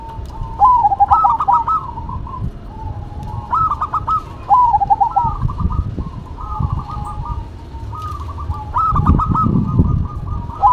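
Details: Duet of zebra doves, local versus cemani, with repeated phrases of rolling, trilled cooing, each burst ending in quick stuttered notes, several phrases overlapping across the recording with faint low rumble beneath.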